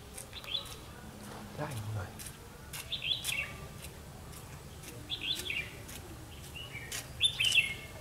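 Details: Red-whiskered bulbul of the 'mí lửa' type, heard during trapping on 31 October 2016, gives clear high warbling phrases every second or two, each a quick rising-falling slur, over light clicks and faint low noise.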